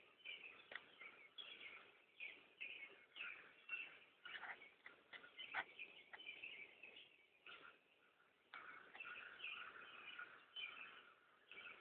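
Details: A large flock of crows in a yard, hundreds present: a continuous overlapping chorus of raspy distant calls, with louder individual caws rising and falling every second or so above the mass of background cawing.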